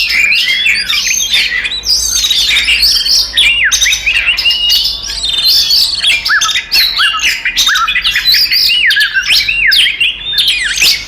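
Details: Oriental magpie-robin singing a fighting song used to provoke other magpie-robins into emotion: dense, continuous chattering of varied whistles, rising and falling sweeps and harsh notes with almost no pause, overlapping phrases suggesting several singers.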